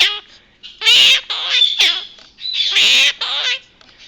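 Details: Pet male Quaker parrot (monk parakeet) chatters in raspy, speech-like bursts, mimicking human phrases such as "step up, good boy", "hello baby" and "bad boys, bad boys, what you gonna do".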